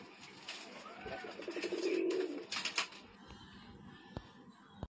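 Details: A pair of Sialkoti pigeons from Pakistan, kept domestic; a rolling, pulsing coo swells around the middle, with scattered clicks, wing or cage knocks and room noise before and after.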